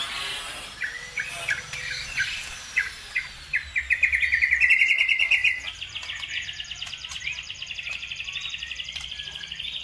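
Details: Bird song used as a provocation for other birds to sing: spaced sharp chips building into a loud, rapid rattling trill, followed by a softer, even, high buzzy trill that continues to the end.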